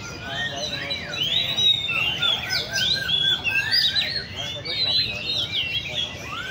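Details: Oriental magpie-robins kept in cages at a bird cafe in Le Thi Rieng park. They give a busy chorus of sharp, sweeping whistles and quick upslurred phrases that overlap steadily, with low murmur behind.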